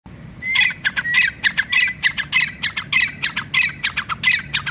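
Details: Male grey francolin (teetar) calling: a drawn-out rising whistle opens a fast run of harsh, ringing, repeated notes, about a hundred a minute, loud against a low steady background hum.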